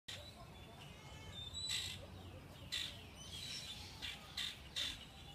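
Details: Peacocks at a zoo in Lufkin, Texas, recorded on 26 March 2015; several short, harsh squawks break through a quiet background, spaced irregularly about a second apart.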